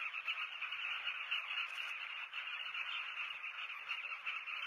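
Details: Many southern carmine bee-eaters calling together at their breeding colony in Zambia's South Luangwa National Park, taped from a hide; thick rolling chatter with rapid overlapping notes and no pauses.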